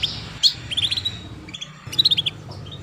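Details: Female canary 'cuit cuit' calls meant to prompt young canaries to start singing soon; a quick high note, then two short runs of clipped, bright chirps with a brief pause between them, and a low background hum.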